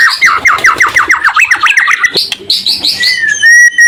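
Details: White-rumped shama singing, used to provoke other shamas into singing back: a quick series of repeated downslurred whistles, about five per second, then rising notes and a long, pure level whistle at the end.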